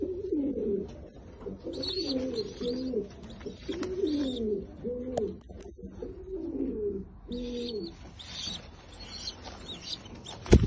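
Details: Fancy American Shamshi pigeons giving a steady run of low, rolling coos, each a throaty falling phrase repeated almost back to back for about seven seconds, then quieter room noise and a sharp knock at the end.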